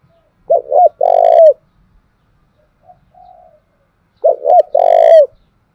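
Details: Spotted dove in Đồng Nai delivering 'thúc gù' coos for training decoy birds: two strong short-short-long phrases separated by a few seconds, with a softer low coo heard in the gap.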